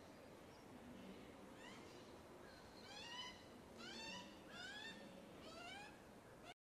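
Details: Baby magpie crying for food: a series of thin, rising whistled squeals with layered harmonics, given roughly once a second in short bursts, against a soft hiss of background noise.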